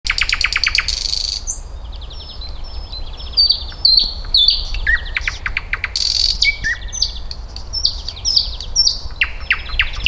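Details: Nightingale in an eco park in May 2024 sings rich, varied phrases: rapid rattling trills, pure whistles and sharp chirps in quick succession, with a faint low rumble beneath.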